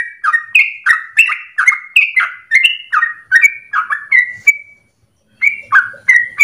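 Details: Energetic long 'ropel' song of a trucukan, or Yellow-vented Bulbul, used as a lure for training birds. Fast, bubbly, slurred notes run together, then stop for about a second before starting again.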